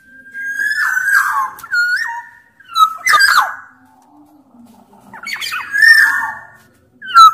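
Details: Sumbawa black-naped oriole, a larger-bodied form, in vigorous song meant to lure other orioles into calling. Liquid whistles step up and down, interrupted by harsh grating notes and a brief quiet stretch.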